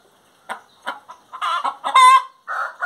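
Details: Hen's song of soft clucks rising into loud, ringing, drawn-out cackles with a clear tonal note near the end.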